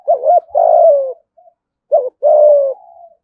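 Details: Spotted dove, Đồng Nai, Vietnam, performing thúc gù coos in thổ voice: two phrases, each a short bouncing double note leading into a sustained, slowly falling coo, the second ending in a faint trailing tail.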